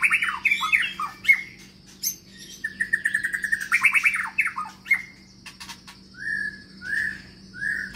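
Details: Newly acquired long-tailed white-rumped shama of the Medan type, kept in a large flight cage, sings a varied run of whistled phrases, slurred notes and rapid trills, ending with three separate rising whistles.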